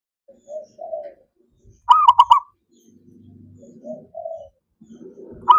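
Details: Zebra dove song played to stimulate silent doves into singing: one quick burst of staccato, trilling coos in the middle, surrounded by softer, lower cooing notes and faint rumbling background noise.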